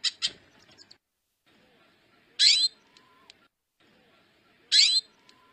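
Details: Female hooded siskin repeating a sharp, buzzy high call roughly every two seconds, preceded by two quick chipping notes and a low thud, with light background clicks.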